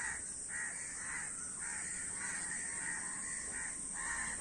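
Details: Numerous crows cawing, hoarse calls tumbling over each other in loose bursts, some drawn out, others clipped, above a continuous high-pitched hiss.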